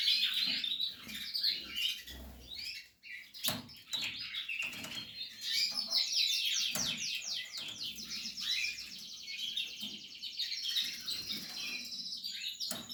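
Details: Portuguese harlequin canary during nest building, singing soft high rapid trills and chattering phrases, repeatedly interrupted by wing flutters, knocks and rustling from the cage.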